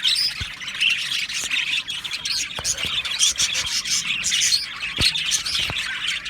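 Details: Budgies in a breeding colony aviary: lively twittering and squawking chorus, constant high chatter punctuated by several short clicks or taps.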